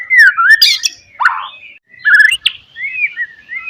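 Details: White-rumped shama singing to lure and provoke rivals, with loud varied phrases of slurred whistles, harsh chattering notes and a rising sweep, then a softer run of warbled whistles at the end.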